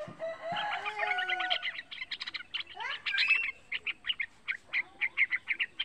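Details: Young caged yellow-vented bulbul singing lively, used as a lure to prompt other bulbuls to sing: a bubbly burst of chattering notes, then evenly spaced short chirps about every third of a second, with a lower drawn-out whistle at the start.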